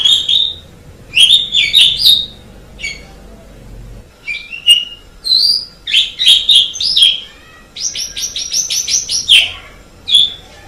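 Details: Javan pied starling pouring out a varied song of rasping chatters, squeaks and whistles, including a fast run of repeated clicking notes near the end, with a low rumble early on.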